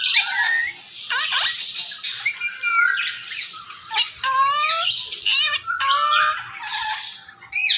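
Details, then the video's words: Talking Indian ringneck parakeet, pet bird imitating Urdu/Hindi speech: hoarse chattering phrases with stacked, ringing slurred whistles and a steady tone near the end. "Talking Ringneck Gorgeous style | Bolnay Wala tota Urdu/ Hindi"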